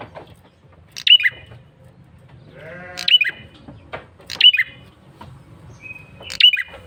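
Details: Male bar-winged prinia lure call, persistent and lively: loud sharp chirped notes with a falling squeaky tail, given in short bursts about every 1.5 seconds, with bleat-like harmonic sounds and low background hum between them.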